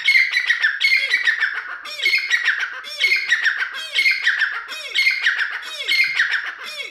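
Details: Deccani teetar (grey francolin) repeating loud, harsh, squealing phrases about every 0.8 seconds, steady and insistent, with no other sounds.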